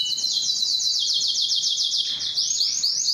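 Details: Canary in long, powerful song meant to draw females for breeding; a dense high rattling trill runs throughout, shifting into sweeping rising notes toward the end.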